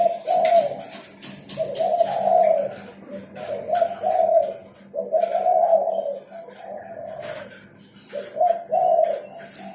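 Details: Spotted dove in energetic song, giving repeated hollow rolling coos in bursts every second or two, low and mellow, with a constant faint hum and occasional clicks in the background.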